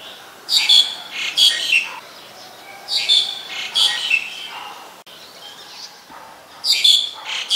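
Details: Black-collared starling recorded in Ubon Ratchathani, Thailand, on 2 January 2020: loud harsh, squeaky notes in bursts, several bright chattering phrases repeated about every second with short pauses between groups.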